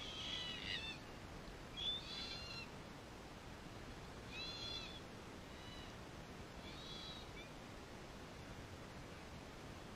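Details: A wild group of red-tailed black cockatoos investigating a camera give drawn-out, wailing, harmonic calls, about five in ten seconds at uneven intervals, against a steady background hiss.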